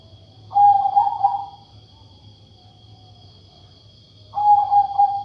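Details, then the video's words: Zebra dove of katuranggan majapahit type with an unusual voice coos twice, each phrase a rolling burst of pulsed notes easing into a sustained mid-pitched tone, nearly four seconds apart over a steady electrical hum. "Burung perkutut bersuara aneh"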